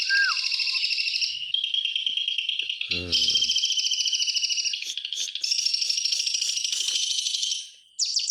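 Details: Song of a white-rumped shama, used to coax quiet shamas into singing: long fast rattling trills that shift in pitch, a brief low thump partway through, and a sudden drop to silence near the end.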